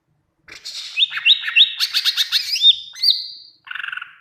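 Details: Greater green leafbird singing to prompt leafbirds to respond: a fast series of repeated bright whistled notes building into chatter, ending with a low buzzy rattling trill.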